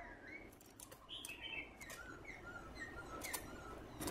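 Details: A Black-throated laughingthrush in morning song gives soft, short whistled notes every half second or so, mid-pitched and varied, over sharp clicks and wing flutters.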